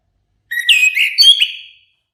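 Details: Orange-headed thrush with a warbled phrase lasting just over a second, its whistled notes sliding up and down and trailing away softly; no other sounds.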